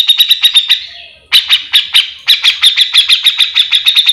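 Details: Grey-cheeked bulbul in full, continuous chattering song (gacor full mbeset), used as a master recording to train or lure other birds of its kind: rapid harsh buzzy notes, about six a second, briefly pausing, then resuming.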